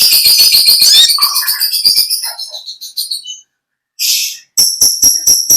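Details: Konin, the olive-backed sunbird, giving its natural long chattering song: a fast run of high buzzy ticks that fades out, a short silence, then a brief harsh burst followed by evenly spaced sharp clicks.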